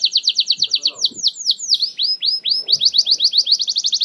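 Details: Canary lure song to prompt singing: rapid series of loud downslurred whistled notes, shifting in speed and pitch, continuous over four seconds.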